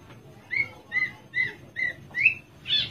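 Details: Caged Javan Horsfield's bush lark delivers six clear, upslurred whistled notes, spaced about every 0.4 seconds, the last ones higher and harsher.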